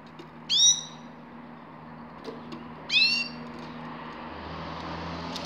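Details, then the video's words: Two separate sharp, high-pitched calls from a grey-crowned goldfinch, roughly two and a half seconds apart, with a steady low hum beneath and long quiet gaps. "Седоголовой щегол"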